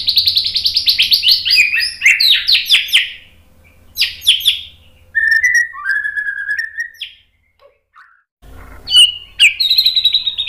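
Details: White-rumped shama song for masteran training, opening with a quick chattering series, then scattered sharp notes and low whistled slurs, with a quiet gap before high whistles resume.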